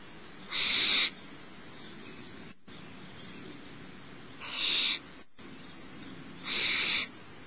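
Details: Barn owlet, the smallest in a nest at Starr Ranch, being fed by its mother at about 10:30 in the morning on 6 March 2011; harsh hissing screeches, three in just over seven seconds, each about half a second long.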